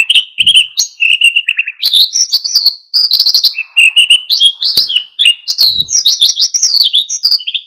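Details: A continuous, loud, high warbling twitter of mixed chirps and short trills from an oriental white-eye singing in energetic wild style to provoke other birds to join in.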